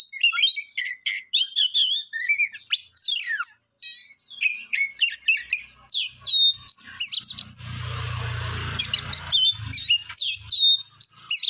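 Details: Songbird pouring out a fast, varied song of high chirps, sweeps and trills; midway a low rumbling noise, like handling or wind, briefly underlies the singing before clearing.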